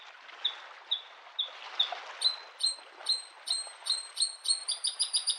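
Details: Spring song of a Bluethroat at a lake: evenly spaced single sharp notes about every half second, then a quickening series of paired high ringing notes ending in a fast trill, with gentle wave noise behind.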